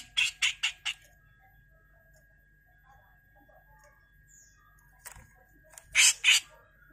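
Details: Grey-cheeked bulbul heard on a songbird-training tutor recording, calling harshly in 'mbeset kasar' style. A fast run of four scratchy bursts opens, then near-silence, then two louder grating bursts close together.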